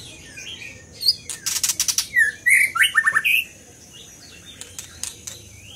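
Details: Scarlet minivet in full song: a run of sharp clicks gives way to bright whistled phrases, including a quick string of short notes and upslurred whistles, with softer notes trailing off.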